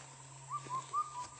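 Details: Indian cuckoo, known locally as keteki, its call rendered as 'kothal pokok': a single phrase of four short whistled notes, the second dipping lower, the third highest and loudest, the last falling again, over a steady low hum.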